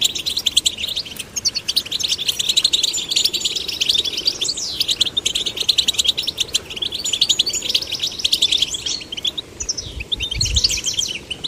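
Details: Young goldfinches, both sexes, being stimulated to sing: a continuous stream of quick, high, liquid twitters and chirps, densely layered, running without pause.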